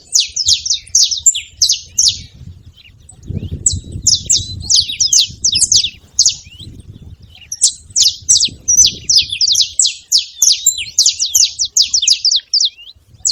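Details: Flock of saffron finches chattering together, bursts of crowded high chirps broken by a short pause, then a longer dense run of fast falling notes; faint low rumble beneath.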